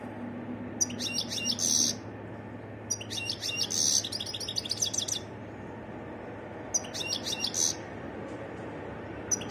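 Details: Varied song of a wild European goldfinch in three separate bursts of bright, high twittering, each roughly a second long with a short buzzy trill inside, broken by quiet gaps over a low hum.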